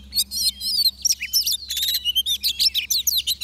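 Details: An oriental magpie-robin sings with a decoy bird at a trap: nearly continuous fast jumble of whistled slurs, chips and buzzy notes over a steady low hum.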